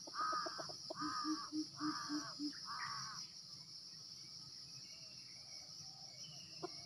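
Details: Junglefowl in Sumatra, heard while wild birds are lured with a decoy: a harsh, harmonic crow in four rapid segments over about three seconds, the last rising, with low pulsed notes beneath, then a steady high insect drone throughout.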